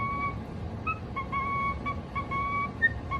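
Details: Cockatiel kept as a pet, whistling sustained pure tones broken by brief higher blips, with a constant low background hum.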